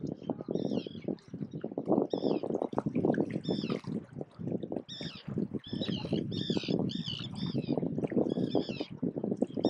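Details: Gulls in the wild guarding chicks that can swim but cannot fly, recorded 15-20 metres away; a rapid series of short wavering yelping calls repeats over heavy low rumbling background noise.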